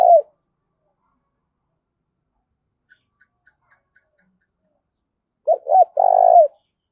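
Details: Spotted dove cooing in the thổ đồng voice style, with thúc and gáy gọi calls: a brief clear coo, several seconds of near silence with faint ticks, then a rolling pair of coos and a long, full final note.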